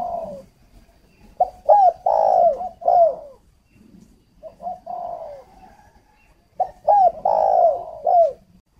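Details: Decoy spotted dove from a bird farm in Ba Vì district, Hanoi, Vietnam, calling in two clear bouts of mellow, hollow coos. Each bout is a short note followed by a longer swelling coo and a falling end note, with soft murmuring between bouts.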